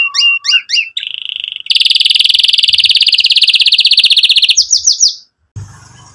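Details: Canary song meant to stimulate young canaries learning to sing and to restart silent ones: quick rising whistled notes, a steady flat trill, then a long fast buzzy roll ending in sweeping phrases.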